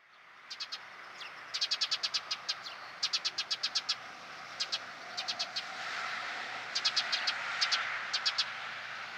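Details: Eurasian tree sparrow holding a ladybug in its beak, Mazovia Province, Poland, July 2015, gives short bursts of quick, dry, high chirps, five to eight in a rapid run, repeated over a soft steady background hiss.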